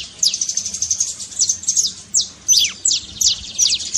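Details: Saffron finch trill used to stir a quiet canary into singing: rapid high-pitched descending chirps and short buzzy notes in quick bursts, with brief gaps between phrases.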